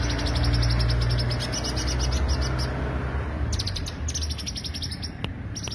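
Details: Greater green leafbird lure song: a long chattering train of quick high notes, then a pause and further short bursts, with a low humming background.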